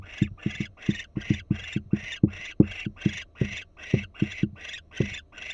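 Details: Nest-camera barn owl in Florida, female on alert: steady series of short noisy rasps at roughly two to three per second, each paired with dull low thuds.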